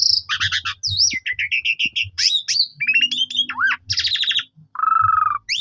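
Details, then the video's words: Black-collared starling lure song to set other starlings singing: chattering rattles, twisting whistled slurs, quick chirp series and a level whistle near the end, over faint low background noise. "Jalak Suren Lain Langsung Emosi Gacor Bongkar Isian"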